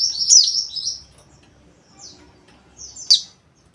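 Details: White-eye pouring out a rapid high twittering phrase that fades, then a pause and two sharp chirps near the end.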